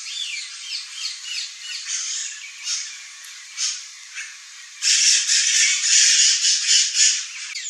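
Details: Red-rumped caciques (Cacicus haemorrhous) in breeding season give harsh, rattling squawks in quick repeated bursts, growing louder and denser midway as several birds chatter together.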